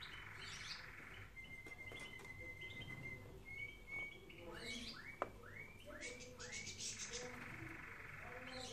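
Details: Canary singing, recorded as training song for other canaries: a thin sustained whistle rises slightly in two parts, followed by a run of five looping, rounded whistled notes, over a steady low background hum.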